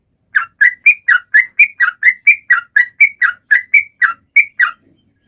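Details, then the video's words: Bold song of a sooty-headed bulbul, meant to spur other birds to sing; about fifteen rich whistled notes in quick succession after a brief silence, then fading out. "Trucuan gacor!!mancing burung lain ikut bunyi"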